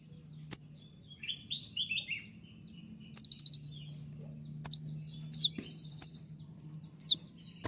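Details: A konin delivers a 'tembakan' (shot) style song: very high, sharp chirps and piercing downslurred whistles, a quick rattle of five rapid clicks, notes coming in irregular bursts over a faint low hum.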